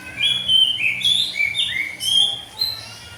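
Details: Oriental magpie-robin singing loudly in the morning, used to coax young untrained birds into singing: clear whistled notes, some sliding up or down, given in quick succession with short gaps.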